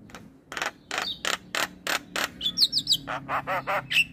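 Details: Male Javan myna, a captive bird said to sing very actively while bobbing its head, gives a run of harsh broadband rasping notes about four per second, then thin high whistles near the end.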